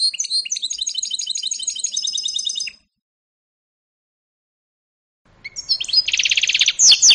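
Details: A 2018 canary-goldfinch hybrid sings a fast, even run of high twittering notes, falls silent for a few seconds, then resumes with a loud buzzy trill and chirps.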